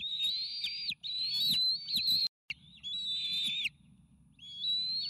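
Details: Bald eagle nestlings, triplets close to fledge age, clamour for a delivered meal at the Sauces nest, nest cam footage from May 29 2018. Long, piercing, wavering whistles in several runs, with a brief dropout and a quieter pause before the last call.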